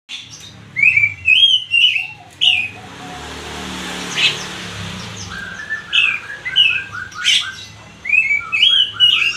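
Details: Oriental magpie-robin singing loud, clear whistled phrases, some rising and falling slurs, in bursts with short pauses between them, over faint low background hum.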